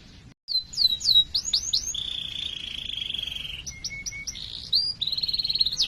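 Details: Lively canary giving a long 'cuit cuit' song to prompt other canaries: brief silence, then falling chirped notes, a steady buzzy trill lasting over a second, scattered lower notes, and a fast repeated trill at the end.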